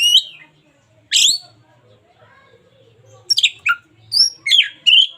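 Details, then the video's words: Local Oriental magpie-robin in full song, suited as a daily tutor recording: a few loud whistled and buzzy phrases sweeping between high and mid pitch, with long quiet pauses and a faint low hum between them. "KACER LOKAL GACOR SUARA UNIK"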